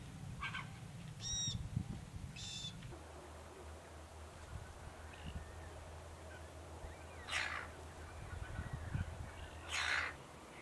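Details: South-eastern Glossy Black-Cockatoos on the Kings Tableland foraging ground, Blue Mountains, NSW, Australia, between March and October 2022. Scattered harsh, grating calls, two early and two later, separated by quiet spells, with a steady low engine-like hum underneath.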